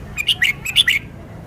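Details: Red-whiskered bulbul showing off its song repertoire: a quick run of about six short, bright chirped notes that dip and rise, sung over a low steady background hum.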